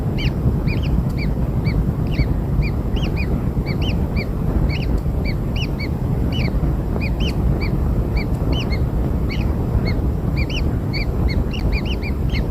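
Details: Kingfisher nestlings, newly hatched, calling while fed black insects: a continuous chorus of brief arched chirps, several each second, from more than one chick, over dense low rumbling noise.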